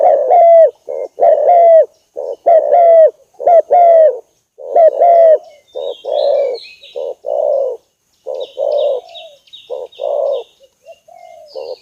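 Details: Spotted dove luring call aimed at angering a rival: a steady series of clear coos, each pair ending in a brief upturn, later turning hoarser and rougher, while high chirping from another bird joins in.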